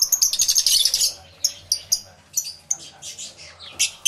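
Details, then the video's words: Aviary lovebirds open with a burst of fast, shrill chirping, then call in isolated sharp squeaks spaced unevenly. "Lovebird Sounds Aviary Series V1"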